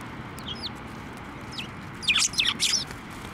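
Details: Sparrows flying onto a hand to take food at a Tenmangu shrine in Japan on 23 November 2023; a few sharp high chirps early, then a louder burst of three or four chirps near the end, over soft background hiss.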